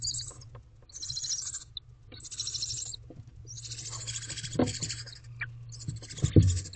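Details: Barn owls in a nest box in the evening while the male delivers a rodent: repeated breathy hissing screeches, softer and high-pitched, with scraping and knocking noises underneath.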